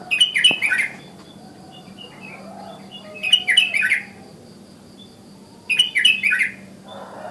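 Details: Morning calls of a sooty-headed bulbul, natural forest-style notes meant to draw in other bulbuls; three loud bursts of quick, bubbly, chattering notes come about every two and a half seconds, with a low hum between.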